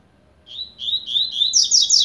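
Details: Warming-up double-collared seedeater singing in the blade style, a quick string of buzzy repeated notes that steps upward and ends in a burst of high, bright chirps.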